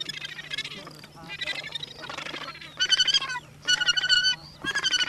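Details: Australasian gannets in New Zealand, 9 December 2013, give harsh, grating, rasping calls in bursts about once a second, with a crowded colony chorus of similar voices behind.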